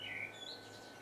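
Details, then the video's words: A song thrush singing at dusk gives one brief, clear whistled phrase that slurs downward, followed by fainter high notes, over a steady low electrical hum. "Song Thrush"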